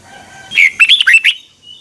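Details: One phrase of red-whiskered bulbul morning training song in a double twisting voice, for teaching birds to sing: about five rapid, sweet, rising and falling notes in under a second, with faint background hiss.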